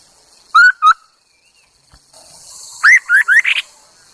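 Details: Chinese hwamei decoy bird calls with two bright whistled notes, a pause, then a faster run of four rising, slurred whistles, over light hiss.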